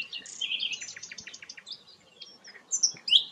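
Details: Sikatan londo flycatcher song, quieter here: a rapid series of high chips and buzzy notes, a short pause, then a few sharp, bright squeaks.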